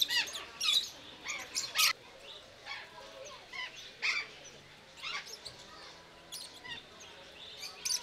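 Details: Rosy-faced lovebird calling in a Belgrade, Serbia zoo, October 2022, camcorder recording: sharp, screechy chirps fired off in tight pairs and clusters, piercing and high, with brief quiet gaps and faint background chatter.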